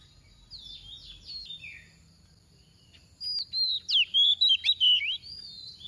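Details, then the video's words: Oriental magpie-robin kept as a decoy, singing 'tìu tíu tiu' to prompt other magpie-robins to sing. Faint warbling first, then a bright burst of about eight loud, quick whistles with sharp upward and downward slides. "Choè than mồi mềm hót tìu tíu tiu phần 3 | Kích Choè Than Hót"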